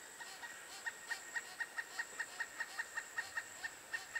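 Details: Female Pileated Woodpecker chick in its nest cavity at Chassahowitzka WMA, close to fledging while adults coaxed it for hours to leave; faint, sharp, short high notes repeated steadily about four times a second over a constant hiss.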